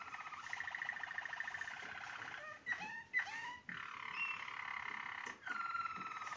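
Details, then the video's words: Waterslager (Malinois) canary from 2022 performing klok song, the water-sound tour, described as among the best in Turkey and Europe; quiet continuous bubbling rolled trills broken by a few rising whistled slides and short pauses. "en iyi klok"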